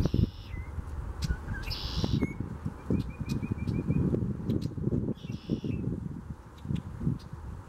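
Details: Red-winged blackbird at Ocmulgee National Monument on March 18, 2015, giving three harsh, buzzy bursts and a quick run of short, thin high notes, nearly buried under heavy wind rumble.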